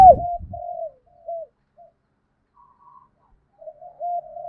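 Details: Decoy spotted dove with a 'thổ' voice, cooing to lure wild doves and provoke them to coo back: a few soft, low, hollow coo notes, short and slurred, separated by silent gaps.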